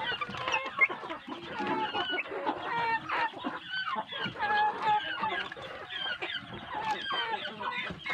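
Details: Large village chicks raised on good feed give a dense stream of short, high cheeping peeps, overlapping and rapidly repeated, with occasional lower clucks underneath.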